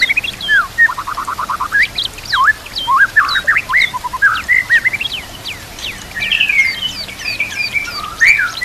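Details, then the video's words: White-rumped shama song from a tutor recording for training other shamas, with nature sounds and water: a varied jumble of trills, sharp chirps and sliding whistles, growing dense and high toward the end. "Murai Batu Full Gacor Murai macet langsung Gacor Masteran Murai"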